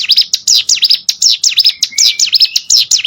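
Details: High, clean song of a mountain prinia (cigun) for training competition birds: fast, even V-shaped chirps, roughly four per second, with a brief thin whistle mixed in.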